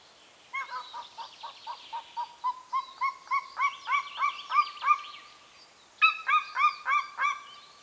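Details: Golden eagle (Aquila chrysaetos) gives a run of about fifteen clear, slightly rising yelping notes, roughly three a second, then a shorter burst of five; contact calls near the nest, Carpathian mountains, northern Romania.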